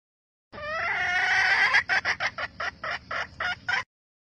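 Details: Red junglefowl hen calling to excite males: a rising harsh drawn note for over a second, then about nine quick clucks spaced irregularly, softer in the recording.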